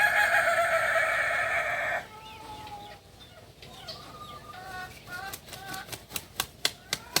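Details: Kukuak Balenggek rooster, a native chicken of Solok in West Sumatra, holds a steady crow for two seconds. Soft bird chirps and a series of sharp clicks or taps follow.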